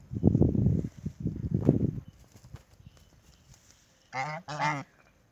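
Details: Ducks kept at a house: after low rumbling, muffled noise, two loud nasal, honking calls come in quick succession near the end.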